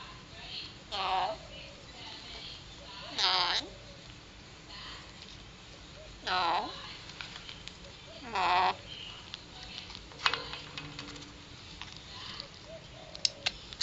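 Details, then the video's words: A three-year-old male pet Alexandrine parakeet speaking mimicked words such as "Hello" and "What ya doing". Four loud, harmonic, voice-like phrases come roughly every two to three seconds, followed by quieter clicks and faint household noise. "Talking Alexandrine Parrot"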